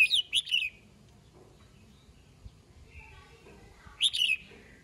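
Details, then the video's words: Red-whiskered bulbul singing at morning to call its flock: a warbled phrase of several quick, slurred notes, a long quiet gap with one faint short note, then a second similar bright phrase. "Chào mào hót sáng, yếu lửa gọi đàn"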